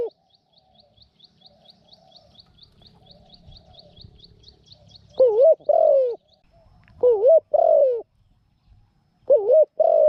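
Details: Trapping decoy Spotted dove; a quick series of thin high chirps from another bird opens, then low paired coos, a dipping note and a falling one, repeat three times.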